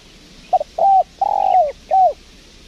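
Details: Wild spotted dove responding to a lure bird at a windy trapping site, giving a short coo, a level coo, a long slowly falling coo and a closing note, all low and mellow.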